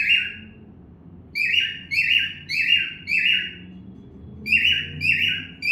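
A cockatiel sings a series of bright, warbling whistled phrases with brief pauses between them.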